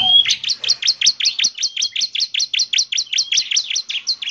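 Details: Bar-winged prinia, called ciblek semi, singing hard: an even, regular run of sharp, high, down-slurred chirps, roughly three per second, after a brief thin whistle.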